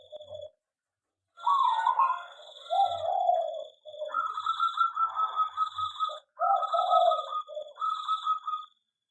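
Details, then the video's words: Zebra dove (perkutut) kept in an aviary, a setting said to make it sing sooner and more often. Low, rolling, burbling coos come in three long phrases, with a short note before them. A thin, steady high tone runs underneath. "perkutut di aviary lebih cepat gacor dan bunyi"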